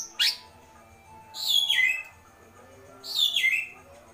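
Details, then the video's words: Agitated white-rumped shama giving kretekan: a sharp upward chip, then two loud descending whistled slurs about two seconds apart, over faint background hum. "Kretekan Murai Batu Emosi"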